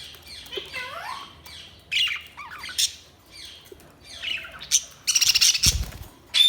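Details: Budgies chirping and chattering: scattered squawky and warbled notes, some sliding, with a loud burst of sharp noisy squawks near the end.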